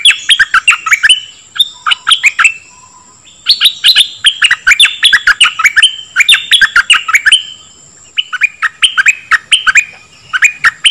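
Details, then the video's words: Dok taeng bird singing fast runs of clear chirps with rising and falling slurred notes, phrases a second or two long with brief gaps, used to teach young birds and rouse them; thin constant high tone underneath. "เสียงนกดอกแตงEp.2 ใช้หัดลูกนก เปิดให้นกคึก!!"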